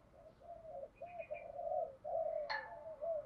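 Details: Spotted dove in 'thổ' voice with fight-urging calls, for training decoys to coo: a series of faint, drawn-out hollow coos over steady background hiss, with a brief sharper sound midway.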